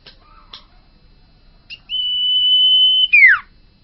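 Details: A bakalan Common iora sings gacor owor-owor: a few short soft notes, then a single long, level whistle lasting over a second that drops away in a steep falling slur.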